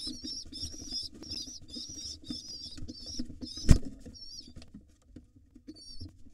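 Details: Excited wild rock pigeon nestlings beg while their father feeds them: a nearly continuous run of high wavering whistled squeals that breaks off midway, with wing flutter, scraping and one sharp knock.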